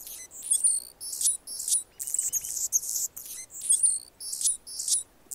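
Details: Anna's hummingbird, a male guarding its territory near a nest where a female feeds her young, giving repeated short bursts of high, scratchy, squeaky notes with brief pauses between them. A faint, lower, regular ticking sounds underneath.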